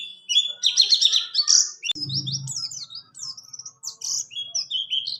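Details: Buxtoni white-eye singing a rolling song used to tutor other cage birds; a buzzy, twittering burst opens, a dull thump sounds midway, then sweet high slurred whistles continue in rapid sequence.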